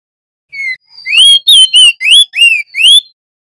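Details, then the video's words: Male crested white-eye (opior jambul) singing in an energetic rolling style: one falling whistle, then six quick ringing upslurred and looping notes, harmonic-rich, about three per second. "OPIOR JAMBUL GACOR Tipe NGEROLL Nembak"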